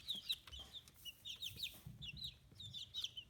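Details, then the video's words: Fifteen-day-old chicks, feathers emerging, on a small free-range farm in Hiroshima Prefecture, Japan; scattered high chirps and slurred whistles, fewer overlapping, with faint low rumbling and clicks in the background. "Chicks Chirping Sounds"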